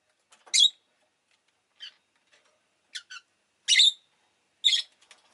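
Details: Chirping of a pet rosy-faced lovebird: sharp, piercing high notes spaced about a second apart, some doubled, with soft faint clicks between them.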